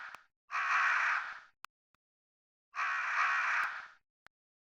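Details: Two long, hoarse crow caws about two seconds apart, rough and scratchy throughout, separated by silence with a few faint clicks.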